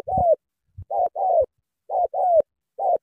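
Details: Spotted dove, Cà Mau, Vietnam, giving vigorous sắm thổ cooing: a short coo then a longer one sliding downward, phrases about a second apart, with faint low knocks.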